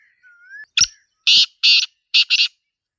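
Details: Black francolin, or Sindhi teetar, calling in its natural surroundings: a thin rising whistle from another bird, then one sharp note and four loud, coarse, rasping bursts, the last two nearly joined.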